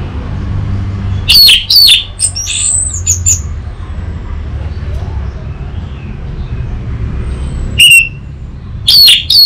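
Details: Orange-headed thrush, North Bali, singing master phrases meant to coax a young bird into full song. Two short bursts of piercing whistles and chatter are separated by a long quiet stretch with low background noise.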